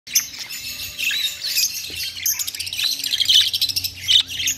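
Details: Budgerigars chattering: a steady stream of high chirps, warbles and quick trilled notes.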